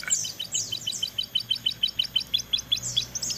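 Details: Crested jay chicks fed by a parent: rapid, high, clipped chirps repeated about three times a second in a steady run, with higher sweeping whistles from other birds and a faint low hum beneath.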